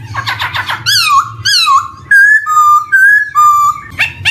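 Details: Black-throated laughingthrush song meant as a lure for young birds beginning to sing: rapid harsh notes, then loud descending slurred whistles and level drawn-out whistles, over a low hum.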